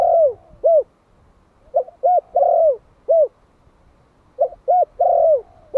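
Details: Young Malai spotted dove, one year old, kept as a decoy in Vietnam and calling to lure wild birds. Repeated low phrases: two quick coos, a long slurred coo, then a last clipped coo, about every two and a half seconds.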